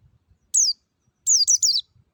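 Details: Wild-type white-eye lure song with a clear, bright voice: a single high falling whistle, a short pause, then a rapid series of three or four descending whistled slurs.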